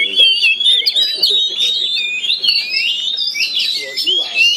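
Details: Oriental magpie-robins, caged and set to fight through linked cages in a Chinese-style cage, pour out continuous sweet, high whistles with quick slurred notes, while low human voices murmur in the background.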